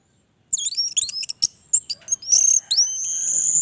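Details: Orange-headed thrush singing high, thin sliding whistles mixed with rapid chatter and scratchy notes, ending in a long steady high whistle, with faint low background rumble.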